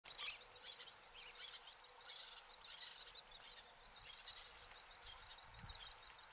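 Little terns giving sharp, high-pitched chirping calls in quick overlapping bursts, apparently several birds at once, over a steady background hiss.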